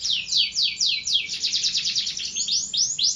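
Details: Canary song made of loud, repeated down-sweeping whistles that speed into a fast rolling trill, then slow into rising arched notes.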